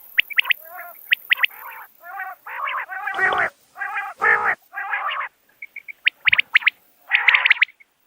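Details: Common quail call used for hunting: a series of rough, nasal harmonic bursts in steady succession, framed by sharp clipped note pairs at start and finish.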